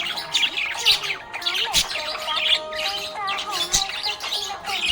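Budgerigar chatter: rapid, busy high chirps and squeaky warbles, with music playing underneath.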